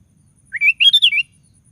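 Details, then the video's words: [1, 'Sooty-headed bulbul in full song, used as a lure to provoke other bulbuls to sing: a short bubbly phrase of rising then falling whistled notes, slurred and liquid, lasting under a second in quiet surroundings.'] "DENGAR SUARA BURUNG KUTILANG GACOR"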